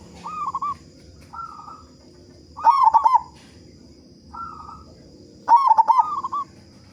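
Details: Vigorous local zebra dove with a loud voice, played to encourage other doves to start singing. Soft cooing notes alternate with two loud bursts of rapid, bubbling, stuttering coos about three seconds apart. A steady high tone hums throughout.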